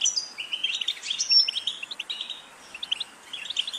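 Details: ['European goldfinch song: quick tinkling chirps and a clear high whistled note early on, then a lull and resumed scattered twittering notes.']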